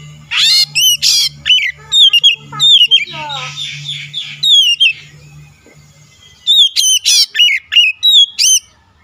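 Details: Lure song of an oriental magpie-robin meant to set a rival singing: rapid sequences of loud, bright, downslurred whistles in two bursts, separated by a quieter stretch of softer twittering, with a low steady hum underneath.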